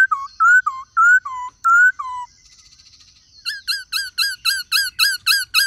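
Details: Black-throated laughingthrush singing in many voices alongside a calling female, kept by bird keepers to spur caged birds into song: loud clear whistled phrases, rising then falling, then a quick run of about ten identical looping whistles.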